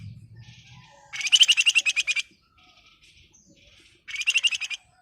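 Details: Flamboyan bird in lively song: a loud rapid rattling burst of about a dozen sharp notes, then quiet, then a second shorter rattling burst; faint low hum at the very start.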